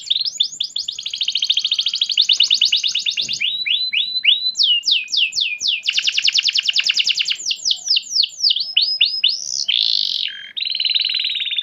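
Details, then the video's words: Canary song used as a lure track to get a house canary singing: long rolling trills of rapid high repeated notes, shifting into quick sweeping slurs and a buzzy sustained note near the end. "KENARI rumahan jadi ikut GACOR dengar SUARA PANCINGAN kenari gacor ini"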